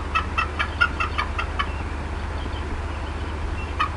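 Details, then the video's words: Upset female bald eagle clucking at the Decorah North nest, afternoon of 18 April 2016: a brisk series of short, bright chips for about one and a half seconds, then quiet hum and one final note. "MOM UPSET & CLUCKING A VERT LONG TIME"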